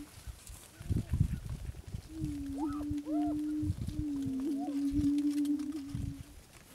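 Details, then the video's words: Attwater's prairie chicken, an endangered Texas subspecies of the Greater Prairie Chicken, gives two long, low, hollow moaning notes, each held over a second, with low thumps and rustling wind behind. "Attwater's Prairie Chicken"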